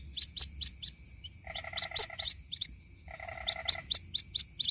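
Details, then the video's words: White-breasted waterhen chick calling its mother, giving sharp high peeps in quick runs, interrupted twice by a lower, buzzy, pulsed rattle about a second long, with a constant faint high-pitched tone behind. "SUARA ASLI PIKAT ANAK BURUNG RUAK RUAK MEMANGGIL INDUKNYA"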